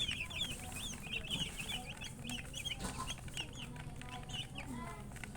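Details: Baby chicks chirping in a quieter chorus of high slurred peeps, set against a fuller low rumble and hum, occasional softer lower notes between.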